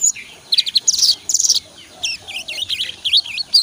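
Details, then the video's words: Young sogon practising ngobra song, lively and full: clusters of sharp high notes, then a run of twisting, warbling whistles and chips, lightly masked by low room noise. "SOGON TROTOL GACOR BELAJAR NGOBRA"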